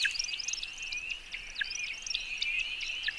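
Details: American Woodcock courtship flight at dusk: a steady high twittering from the wings, broken by sharp liquid chirps every half second or so, over faint background hiss.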